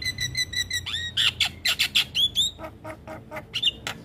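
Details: Black-winged starling tutoring song for young birds, full of varied phrases: a quick row of thin high ticks, then loud whistled upslurs and hoarse squawks, fading into scattered short chips.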